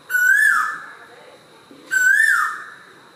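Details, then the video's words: Asian koel singing in the early morning near a home terrace with an Ayani tree, during lockdown: two loud, clear whistled notes, each rising then falling, about two seconds apart, with no other clear sounds. "ഫോട്ടോ എടുത്തില്ലെങ്കിൽ കൂടിയും ഇപ്പം നമ്മളിതിൽ കാണിക്കുന്ന പോലെ കുയിലിൻ്റെ പാട്ടുകളും ഇപ്പം നമുക്ക് കേൾക്കാം."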